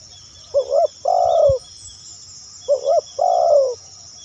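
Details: Spotted dove (terkukur) call for luring other doves: two clear repeated phrases, each a short double coo followed by a long, level then falling coo, with a sharp click between them.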